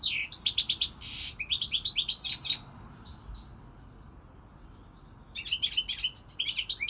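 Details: European goldfinch song this season: quick twitters and a buzzy rasp, a phrase of rising chirps, a long quiet gap of nearly three seconds, then lively twittering resumes.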